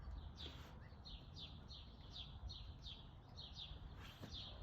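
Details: A male downy woodpecker calls at a back-yard bird feeder in Calgary, Alberta, at 1:14 pm on 27 June 2021. He gives about ten sharp, high, downward-slurred notes, two or three a second, over a low background rumble.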